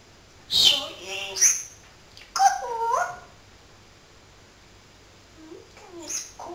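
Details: Talking pet parrot, said to chatter all day long, gives short word-like utterances: a sharp, hissy opening, a rounded, vowel-like phrase in the middle, and a softer murmur near the end, with quiet pauses between.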